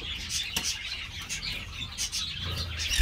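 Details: Green-cheeked parakeets kept at an amateur breeding aviary, producing continuous overlapping chirps and scratchy chatter, with a low background rumble throughout.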